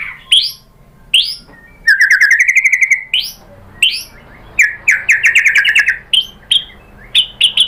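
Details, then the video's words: Murai batu, the white-rumped shama, in lure song to provoke a rival to answer. Separate upslurred whistles, then a fast even trill, then staccato clicks and buzzy whistled bursts in quick succession. "MURAI BATU jadi EMOSI NYAUT ikut BUNYI GACOR BONGKAR MATERI dengan PANCINGAN MURAI ini ¦ SHAMA BIRD"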